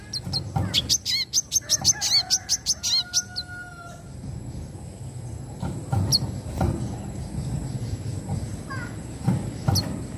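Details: Brown-throated sunbird singing in the twittering, sharp-fired 'wiceh' style: a quick run of high, thin, evenly spaced chips over about three seconds, a brief steady whistle, then scattered sharp notes above a low rumbling background.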